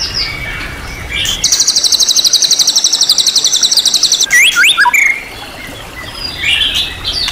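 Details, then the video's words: White-rumped shama (murai batu) singing its rich, material-filled champion-class song: a long, fast, even buzzy rattle of high pulses lasting about three seconds, followed by clear downslurred whistles, then softer background notes. "MASTERAN MURAI BATU KELAS JUARA SEGUDANG MATERI | MURAI BATU FULL ISIAN MEWAH TERBARU"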